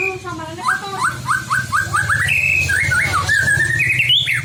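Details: White-rumped shama singing to provoke rival shamas into song: a run of short rising whistled notes climbing step by step, then higher sweeping phrases, over a low droning hum.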